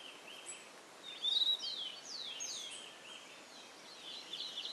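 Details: Chestnut-crowned Becard building its nest at RPPN Corredeiras do Rio Itajaí, Itaiópolis, Santa Catarina, Brazil, gives thin, high whistled notes, some sliding downward in quick slurs, scattered over a few seconds against steady background hiss.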